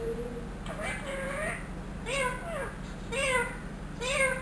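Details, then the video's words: One-year-old trained pet ringneck parrot imitating a cat's meow: four drawn-out, harmonic meows about a second apart, each bending up then sliding down, with a low steady hum underneath. "TALKING RINGNECK PARROT SAYS ALLAH HO,MEOW,MITHO BETY"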